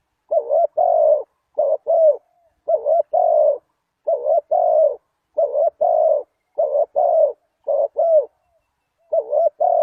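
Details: Lure call of a spotted dove for attracting wild doves. Steady series of about nine low, mellow double coos, each a brief note then a drawn-out hollow one, given at short, fairly even intervals with no other sounds.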